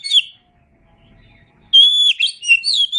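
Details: Tutor recording of an Oriental magpie-robin for cage birds: a brief whistled note, a short pause, then a sustained clear whistle flowing into varied, rapid warbled phrases.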